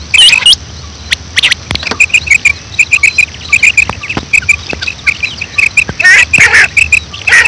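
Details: Female quail giving a morning call, a steady run of short high chip notes repeated about three to four times a second, with louder bursts of chattering and clicks near the start and end.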